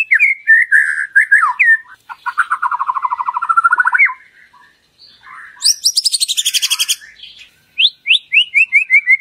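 White-rumped shama singing a rich, varied song: rapid repeated notes, a long run of buzzy trills, then high sweeping whistles falling in pitch.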